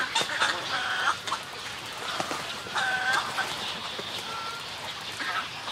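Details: Snowy egret colony with colony and greeting calls: rough croaking chatter underneath, with several clearer, drawn-out nasal calls standing out at irregular intervals.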